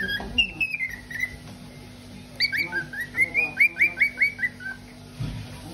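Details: Pet parrot whistling: a clear descending whistle, then a quick rising-and-falling series of about eight whistled notes, over a steady low household hum.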